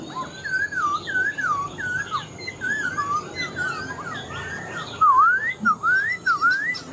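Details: Black-throated laughingthrush, a caged wild-caught adult kept about four months, sings a series of clear, looping whistles, each rising and falling, about twice a second, growing louder toward the end.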